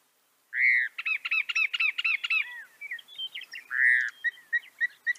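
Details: Northern mockingbird singing: a slurred note, then one chirping phrase repeated about seven times in fast succession, followed by a looser string of varied chirps and a second loud slurred note.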